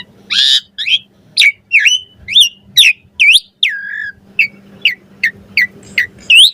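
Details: Varied song of an Asian pied starling for training birds: a harsh burst, then a steady series of looped and hooked whistled notes, roughly two per second, ending in a rising whistle.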